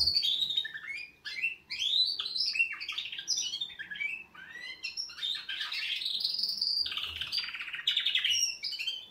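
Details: Canaries giving their wake-up song: a dense, continuous high warble of rapid trills, rising sweeps and bright whistled notes, several voices overlapping with hardly a pause across the whole stretch, and no other clear sounds.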